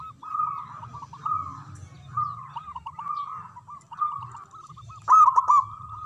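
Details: Loud-voiced local zebra dove singing in the manggung style, repeated soft rolling coo phrases at a steady pitch, closing with a louder, rippling burst; low rumble underneath.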